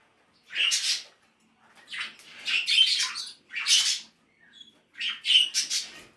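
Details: Pet cockatiels, grey, white-faced and pearl pied, kept with a Sierra parakeet and preening together, give short, harsh, chirpy squawks in bursts about a second apart with brief quiet gaps, indoors.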